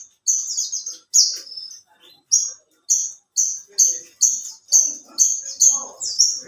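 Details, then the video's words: High-pitched whistled notes from an alinea-type branjangan, a bushlark prized for long singing and rich material; opening with drawn-out slurred notes, then a rapid, even string of short clear ones. "Burung branjangan alinea gacor"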